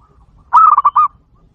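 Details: Zebra dove call used as a trapping lure: one short burst of quick, soft, mellow cooing notes, about five pulses in half a second, ending in a slightly longer note, over quiet low background noise.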